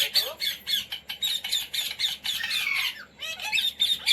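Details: Pet Indian Ringneck parrot trained to say words such as "mummy" and "roti roti": steady train of loud, raspy, high squawks, several each second, briefly broken by a rising whistled note near the end.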